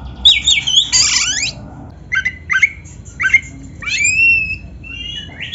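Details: Kacer, the Oriental magpie-robin, giving rich training song: an opening burst of chattering notes, then spaced short whistled chirps and a long drawn-out whistle that sweeps down and levels off.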